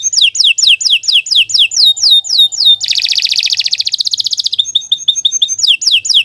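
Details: Canary song, long and loud, opening with a quick series of downslurred whistles repeated about four per second, then a dense buzzing trill, a rapid rattle and more descending whistles.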